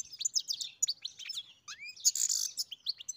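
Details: Goldfinch song from a farm setting, a quick tinkling jumble of high chirps followed by a rising slurred note and a harsh buzzy burst, then more twittering.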